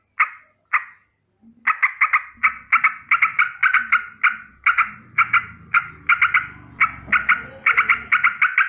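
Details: Sooty-headed bulbul calling its rolling morning alarm against danger: two isolated harsh notes, then an almost continuous chain of buzzy chattering notes in quick pairs and triplets, with a soft low background rumble.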